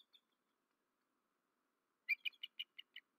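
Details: Bald eagle vocalizing at night on the nest in Rome, Georgia; after near silence, a run of seven sharp high chittering notes spaced roughly every 0.15 seconds, fading slightly toward the end.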